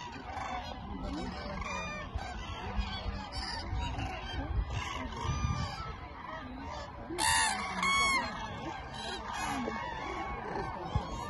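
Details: Massed Eurasian cranes at Lake Hornborga in Västergötland, Sweden, resting during spring migration; a dense chorus of overlapping trumpeting calls, swelling into loud bugled bursts near the end, with faint human voices beneath.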